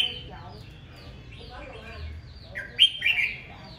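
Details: Aggressive morning song of a red-whiskered bulbul: quieter warbling and murmuring lead into a loud, piercing burst of sharp, slurred, high notes near the end.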